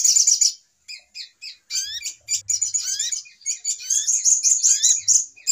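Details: Little spiderhunter lure for trapping: choppy bursts of high, fast chatter and many quick rising whistled slurs, building into denser chattering toward the end.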